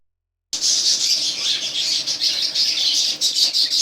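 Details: Cockatiel pairs kept as pet birds, giving a continuous stream of harsh, high chirps and squawks with little pause between them.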